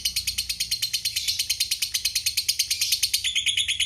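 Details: Lovebird giving a long chattering 'ngekek' trill: a fast, steady run of harsh, high chattering notes that continues unbroken through the whole stretch, with a slight change in tone near the end.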